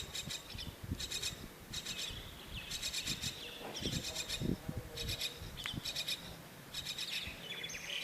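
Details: Myna chick at a bird-house nest awaiting its mother gives short, hissy, rasping begging bursts in quick series, with a few thin whistled notes and steady low background rumble.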